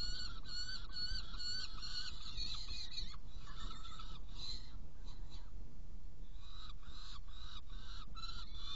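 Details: Saker falcon in Hungary at 18:57 on 16 June 2018, feeding two young after prey delivery; brisk harsh call series for three seconds, then scattered, softer notes, all over a continuous low rumble.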